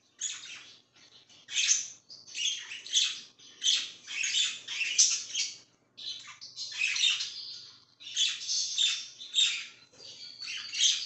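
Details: Pet budgerigar chirping indoors in bursts of scratchy, squawky chatter high in pitch, roughly one burst every two seconds with short pauses between.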